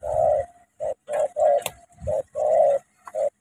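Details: Spotted dove in Cà Mau, Vietnam, cooing loudly and steadily: deep, hoarse notes in groups of short and longer coos repeated about every half second, with low rumbling background.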